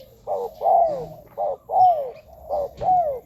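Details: Spotted dove cooing for luring wild doves; steady pairs of a short blunt coo and a longer arched coo curving down, three pairs repeated about once a second.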